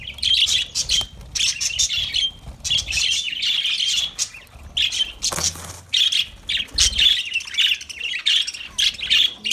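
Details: Lovebirds chattering: bursts of high, rapid, scratchy twittering and squeaky notes, broken by brief pauses and a few harsher squawks.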